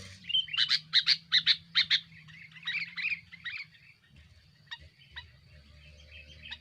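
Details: Sooty-headed bulbul giving a noisy, aggressive song meant to pressure rivals, used as a lure: a quick run of bright, bubbly chirps in the first two seconds, then softer scattered notes and sharp clicks over a faint low hum.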